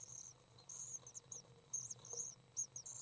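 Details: Common swift chicks, three young birds, during a feeding session on May 30th 2012: rapid, shrill, high twittering notes in quick clusters over a faint low hum.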